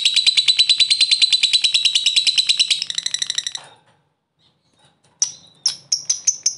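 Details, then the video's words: Lovebird ngekek fighter trill for provoking rivals: a fast rattling high trill for nearly three seconds that fades out, a silent pause, then several sharp separate chirps. "Lovebird ngekek fighter,pancingan lovebird ngetik ngekek mantap bikin lawan langsung nyaut"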